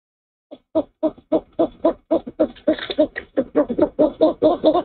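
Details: Male owl at the nest at 06:19 on 04/06/23 after delivering a rat to the female for breakfast, giving a fast series of short low hooting notes that speed up and run together, with a soft rustle.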